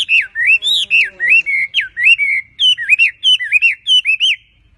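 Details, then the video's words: Vigorous singing from a tame wambi bird. Rapid, evenly spaced whistled notes, each bending up and down, run in a lively chain of about a dozen phrases. "BURUNG WAMBI GACOR JINAK TOTAL"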